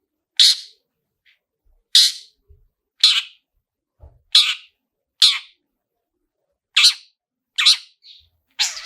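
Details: A long-tailed shrike's 'toet toet' lure: loud, rasping, buzzy notes spaced about one to one and a half seconds apart, unevenly timed, in an otherwise quiet background.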